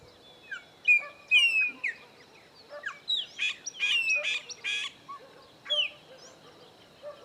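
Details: Chopi blackbird, one of three visiting a farm in the sertão of Bahia, Caatinga biome; rich rapid song of loud whistles, harsh chattering bursts and downslurred notes, over an insect hum.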